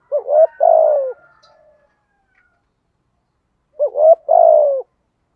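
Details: Spotted dove in the 'giọng thổ' cooing style, used as a decoy to draw wild doves into cooing back: two low cooing phrases about three seconds apart, each a short double hoot and then a longer falling coo. Otherwise quiet.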